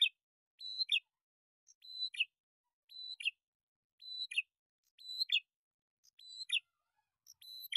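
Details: Calling duet of a male and female bar-winged prinia used as a lure: level thin whistle then a harsh descending chirp, the pair of notes repeated about every second, nothing else heard.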